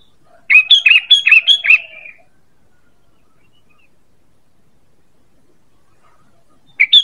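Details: Sooty-headed bulbul calling to lure birds: a rapid string of about six bright, gurgling notes over roughly one and a half seconds, then a long silence before another phrase begins at the end.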